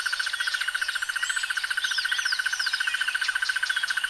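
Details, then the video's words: Crested barbet delivering a sustained, buzzy rattle of quick even pulses, like a fat insect or small machine, under sliding whistles and chirps from other birds. "The sounds of Crested barbets"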